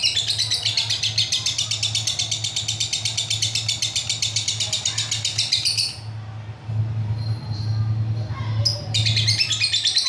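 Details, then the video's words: Long ngekek from a lovebird, recorded real and unedited. Dense, rapid high chattering trill for about six seconds, then a pause with a low hum, then the fast chatter starts again. "Love bird ngekek durasi panjang"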